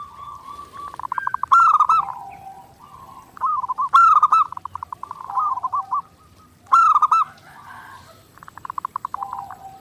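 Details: Zebra dove singing steadily, clear master for daily training: three strong accented coo bursts at two-to-three-second spacing, linked by rapid pulsed, stuttering phrases.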